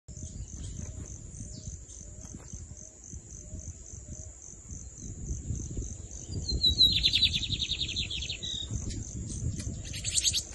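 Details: Lined seedeater (bigodinho) singing in the torneado style: a fast buzzy trill of evenly repeated notes about two seconds long, then a short burst near the end, over a steady high electronic whine and low rumbling background noise.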